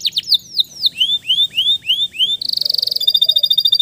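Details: Male canary singing loudly, used to prompt stressed, silent canaries to sing again: repeated downslurred and upslurred whistles, then a fast buzzy trill and rapid ticking notes.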